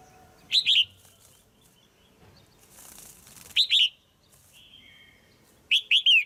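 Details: A caged female red-whiskered bulbul gives pairing calls meant to stimulate a male: three groups of two or three loud, sliding chirped notes about every two to three seconds, with a soft hiss in the pauses.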